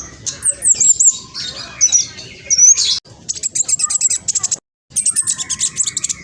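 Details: Black sunbird, speckled, singing loudly and fast as a lure for other birds: shrill twittering phrases and wavering high whistles, then rapid evenly spaced chip series after a brief gap.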